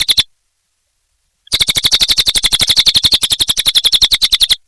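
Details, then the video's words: Energetic cililin song: a short burst of high chirps, a pause of over a second, then a sustained, rapid run of bright, sharp notes pulsing several times per second. "Suara Burung Cililin Gacor Durasi Panjang"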